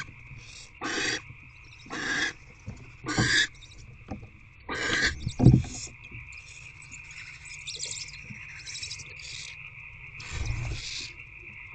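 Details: Evening food delivery at barn owl nest box C, 16 February 2024: a few scattered hissing screeches, one or two seconds apart, with dull thumps and shuffling in the box and a steady background hum.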